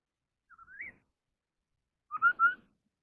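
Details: Contest singing by a Chinese hwamei ('họa mi đất'): a rising slurred whistle, then after a one-second pause a phrase of three short, steady, clear whistled notes. The background is quiet.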